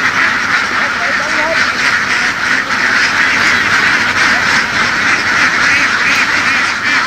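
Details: Large flock of laying ducks herded through fields in Vietnam's Mekong Delta, quacking in a dense, constant chorus of harsh, overlapping calls, with faint human voices in the background. Duck.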